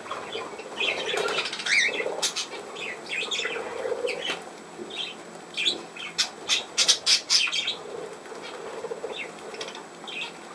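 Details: Pet budgerigar chattering indoors: scattered short squawks and bright chirps with soft warbling in between, irregular and uneven in loudness, rising into a cluster of sharp clicks and chirps near the middle.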